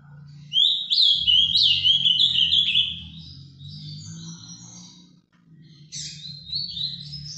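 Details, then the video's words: Captive Ultramarine grosbeak (azulão) from a Brazilian breeder singing the Paraná vinte vinte style live: rapid chains of high whistled, sliding notes, loud for two seconds then softer, over a steady low hum. "azulão Paraná vinte vinte ao vivo"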